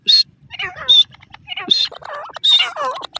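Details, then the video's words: Female partridge giving a jumble of wavering, harmonic calls that rise and fall, mixed with sharp high whistled notes and short clicks in quick, irregular succession. "The voice of the Modi partridge"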